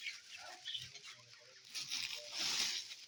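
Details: Budgerigar colony in a freshly cleaned aviary with fresh food and water, healthy and active birds: continuous high, busy warbling chatter from many budgies, layered and overlapping, with soft low thumps underneath.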